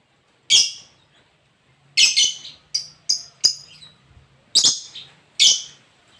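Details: Lobert song: sharp, high chirped notes given singly and in short pairs, about seven bursts in six seconds with brief pauses between, over a faint low hum.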